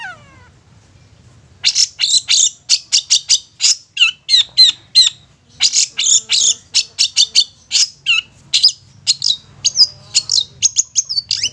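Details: Long-tailed shrike singing in the 'satu titik nagen tegak' style, a lure for young or wild shrikes: after a brief falling note, a fast, continuous run of scratchy, buzzy chatters and clipped squawks lasting nearly ten seconds.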